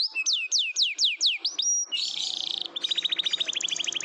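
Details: Canary song meant to coax quiet canaries into singing: a series of downward-slurred whistles, then a buzzy burst and a long fast trill of evenly repeated notes.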